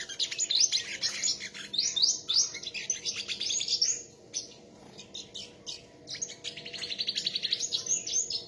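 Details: A sunbird in competitive song gives a very high, rapid twittering run of thin notes, pauses briefly, then finishes with a fast buzzy trill; a faint low hum sits underneath.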